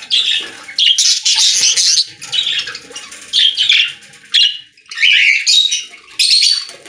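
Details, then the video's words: Budgies in a pet store keep up a loud, nearly continuous chatter of rasping squawks, chirps and warbled notes, broken into bursts about a second long with short pauses. "Budgies singing in Pet Store | Parakeet Sounds"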